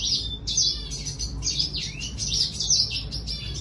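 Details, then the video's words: A red siskin sings: bright, high buzzy phrases and short trills, with one lower slurred whistle rising midway, against a faint low hum. "Redsiskin sing a song"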